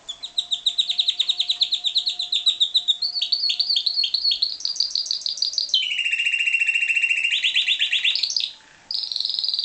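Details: Captive-bred pied Timbrado canary singing loud, unbroken high metallic trills of rapid repeated notes, switching between several pitch levels, with a deeper rolling tour in the second half and a brief pause near the end.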